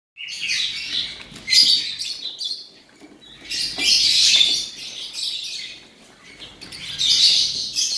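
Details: Male Oriental magpie-robin offered for sale sings three bursts of bright, high, varied twittering and whistled phrases, each lasting about one to two seconds, separated by quieter pauses.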